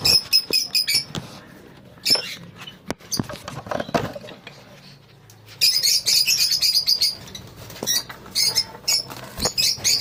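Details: Lovebirds calling in a colony: sharp chirps and clicks early, a quieter stretch, then long runs of piercing high chattering chirps from several birds toward the end.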